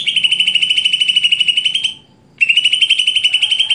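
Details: Greater green leafbird giving a loud, fast, buzzy pulsed trill held for about two seconds, a short pause, then the same trill again.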